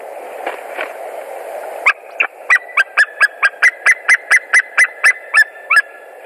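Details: White-tailed eagle at its nest in Latvia in late March 2019, one bird arriving with straw: after some low rustling, a run of about fifteen high, clipped yelping notes, rapid and steady, over a constant background hum.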